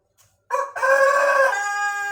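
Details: Pelung chicken, a breed whose crow becomes longer and more melodious with maturity, giving a loud, rich harmonic crow that starts abruptly after a short stutter and holds steady with slight bending.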